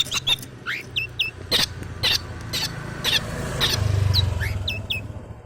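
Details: Long-tailed shrike learning its song, suited as a lure to get lazy shrikes singing: short high whistled and swooping notes in quick irregular bursts, with sharp clicking taps and a low steady hum underneath.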